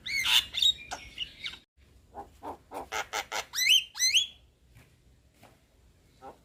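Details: Young Javan myna (jalak kebo) singing: harsh broadband squawks, then a run of buzzy notes and two sharp rising whistles near the middle, with a low hum underneath.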